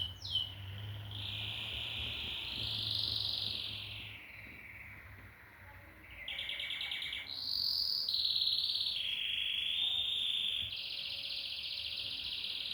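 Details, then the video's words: Singing canary delivering long even trills that glide slightly up and down. These give way to shorter blocks of rapid pulsed notes at higher and lower pitches. A soft dip in volume comes midway, with low background hum. "O IMPORTANTE É QUE O CANÁRIO CANTE. The important thing is that the canary sings."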